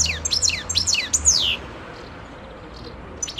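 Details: European goldfinch, 2011 recording: a burst of high, rapidly falling twittered slurs lasting about a second and a half, then near silence before another faint note.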